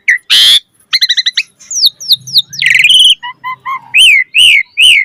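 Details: Fast-singing Asian pied starling with a varied repertoire: a harsh noisy burst, stuttered chirps, falling whistles, a buzzy rattle, then paired low whistles and loud looping high notes.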